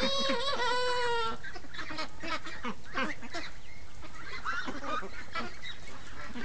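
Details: Morning chorus of free-range ducks: it opens with a clear, tonal drawn-out note lasting about a second, then gives way to rapid jumbled quacking from many birds at once.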